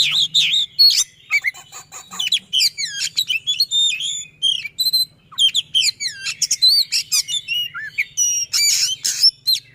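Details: Magpie-robin delivering a rapid, tightly packed, long-lasting song with rolling 'tembak' notes, played to coax silent magpie-robins into singing. Quick looping whistles, upslurred and downslurred notes and short harsh bursts follow each other without pause, with a faint low hum.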